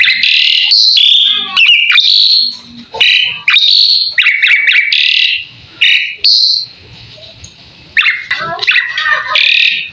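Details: Asian pied starling, jalak suren, singing a full masteran song: loud bursts of harsh, chattering and whistled notes with rising and falling slurs, broken by short pauses, with faint speech after.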